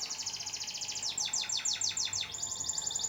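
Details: Canary master song used to train birds to sing diligently: rapid, high trilled phrases of repeated notes, some sweeping downward, delivered in quick successive runs with a faint steady hum underneath.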